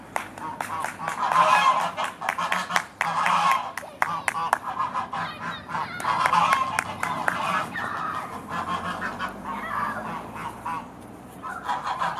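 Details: Geese at Beamish are heading to bed in the evening, honking noisily together in a dense, continuous chorus, with sharp clattering sounds mixed in.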